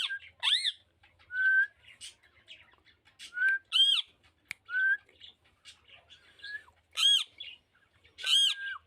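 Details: Green rose-ringed parakeet, a pet Indian ringneck, recorded January 11, 2024: loud harsh screeches alternate with short clear whistles that slide up, spaced irregularly over a quiet background.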